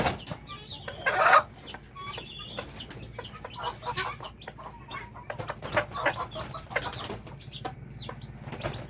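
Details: A hen calls her chicks or young to come and eat, giving short, scattered clucking notes with one louder harsh burst early on, over faint clicks and scratching farmyard noise.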